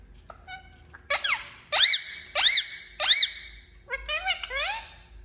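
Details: Talking Indian ringneck parakeet giving a run of about five loud, harsh, arched screeches spaced under a second apart, ending in a quicker cluster of rising chattering notes.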